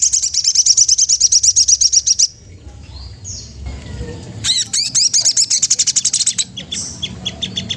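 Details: Magpie-robin song aimed at stirring a rival: a fast even trill of high notes for two seconds, a quiet pause, then a rapid series of sharp, descending-swept chips.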